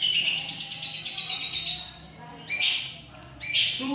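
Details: Long-tailed shrike, a bird said to mimic the songs of any other bird: a warbled, high-pitched phrase with layered notes, then two loud, harsh, raspy bursts about a second apart.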